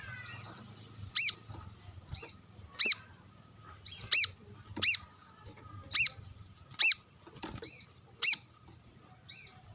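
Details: Brown-throated sunbird, vigorous while sunbathing and answering wild birds, challenging a rival; a steady series of bright, sharp, arched chirps, around one per second, alternating louder and softer notes in quiet surroundings.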